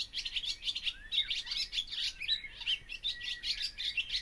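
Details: Barn swallow singing: a fast, continuous twittering warble of chirps and buzzy notes, with short rising and falling slurs woven through, chattering on without pause.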